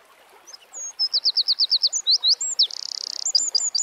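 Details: Wild Eurasian wren in song outdoors, opening with thin high whistles, then a steady series of about ten bright repeated notes, a few twisting chirps, a dry rattling trill and quick sharp notes.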